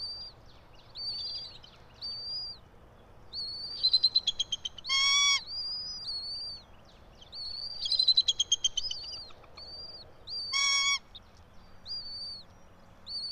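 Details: At a pine-top nest some 90 feet up in Johnson City, Tennessee, a bald eagle of the local pair calls at 06:28 on 04.03.2024: high piping whistles broken by two loud, harsh, crackling bursts, the chatter repeating twice.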